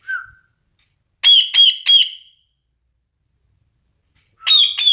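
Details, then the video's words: Pet parrot giving a short low note, then three harsh, harmonic-rich squawky syllables in quick succession, silence, and two more similar bursts at the end. "talking parrot"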